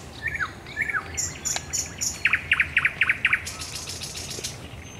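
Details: Thrush nightingale singing at night at the Raszyn Ponds, Poland, on 10 May 2021: a few slurred whistles, scattered high ticks, then a run of five or six identical sharp strokes delivered about four per second.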